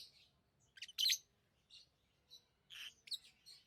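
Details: Lovebird chirping: scattered shrill, harsh chirps in short bursts with quiet gaps, the loudest cluster near the one-second mark, over a faint low hum.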